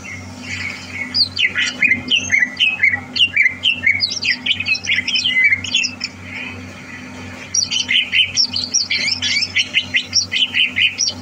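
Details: Greater green leafbird kept for singing competitions, recorded 30 November 2022: two long bursts of fast, scratchy, high chattering phrases mixed with whistled notes, separated by a short quieter gap, over a constant low hum.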